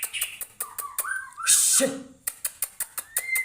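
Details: White-rumped shama in full song, prepared for a song competition: sharp repeated clicks, a slurred whistle falling then rising, a loud hissing burst, then more clicks and a short rising whistle at the end.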